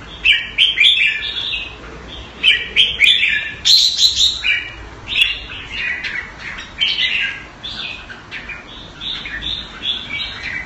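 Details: Thai-style kept red-whiskered bulbul caged in Singapore, singing busy, repeated warbled phrases with some higher sharp notes, about three bursts a second, over light background hiss.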